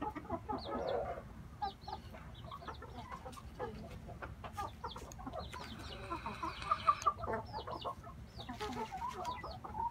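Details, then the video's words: Inbred red junglefowl brothers giving short, scattered clucks and chirps, with a longer drawn-out, tonal call partway through, over steady low background rumble. "Red jungle fowl"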